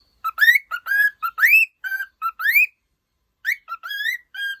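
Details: Pet cockatiel singing happily: a string of clear whistled notes, some flat and some sweeping upward, in short phrases with a pause of about a second before more whistles.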